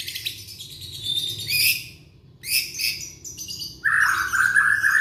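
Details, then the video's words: Young white-rumped shama from Indonesia, as a lure for shamas that have stopped singing: harsh high scratchy bursts separated by short gaps, ending in a steady run of mellow whistled notes. "Murai batu muda tunjukan pesona,cocok buat pancingan murai macet bunyi"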